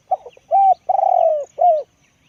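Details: Loud, deep-voiced decoy spotted dove: a stuttered double note, a smooth coo, a long wavering coo that drops in pitch, and a last descending coo, all in about two seconds.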